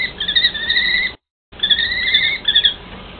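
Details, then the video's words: Common kestrels of a mated pair exchanging calls, stretched, slightly wavering shrill notes held for about a second each, separated by a brief break. "Sokol myšiar - Manželský rozhovor"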